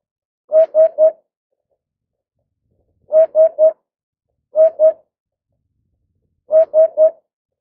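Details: Eurasian hoopoe rearing its chick gives a soft, hollow 'oop-oop-oop', low and even, in groups of two or three notes repeated every couple of seconds.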